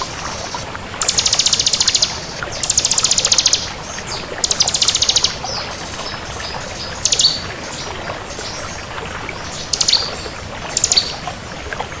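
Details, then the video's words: Vigorously singing bar-winged prinia, local crystal (kristal) variety. Repeated buzzy, shimmering high trills of about a second each come every couple of seconds, then sparser sharp chips over a constant soft hiss. "Suara Burung Ciblek Kristal Gacor"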